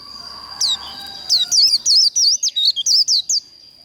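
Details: Líu contest song of a white-eye, used to fire up birds for singing matches: a few spaced high chirps, then a quickening run of bright, swooping notes, each clearly separated, over a constant thin whine.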